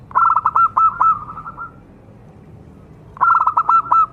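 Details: Zebra dove (perkutut), a local bird singing steadily, whose song is meant to stir other doves into answering: quick runs of clipped, repeated coo notes, a gap of over a second, then another run.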